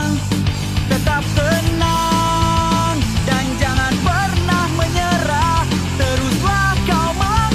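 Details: Loud rock music with driving drums and a wavering sung or played melody, with no animal calls standing out.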